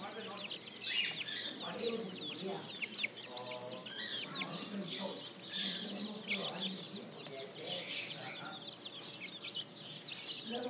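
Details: Spring chicks in a flock, peeping continuously in high, thin chirps, many overlapping and sweeping up and down, with softer lower calls beneath.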